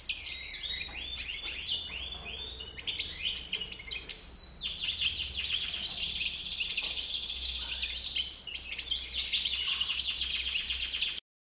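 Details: European goldfinch with a white beard singing at length: descending chirps open into eleven seconds of bright, rapid twittering with buzzy trills and metallic tinkles, a steady low hum behind, ending abruptly.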